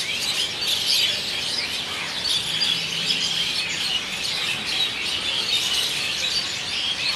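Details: Evening roost at Kolkata, India: a flock of Asian Pied Starlings, filmed with a Nikon D3200, fills the air with a steady wall of shrill chattering and squeaky whistles, no pauses, the birds calling over one another throughout.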